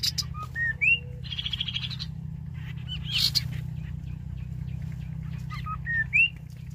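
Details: Rufous-capped babbler song, played as a lure to trap wild birds: short whistled notes, some rising, mixed with buzzy bursts over a low hum.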